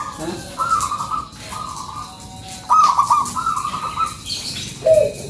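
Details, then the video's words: Local zebra dove lure song, softer and more distant: fluttering trilled coos in several short phrases, one ending in a brief lower note, with quiet gaps between. "SUARA PANCINGAN PERKUTUT LOKAL GACORRR"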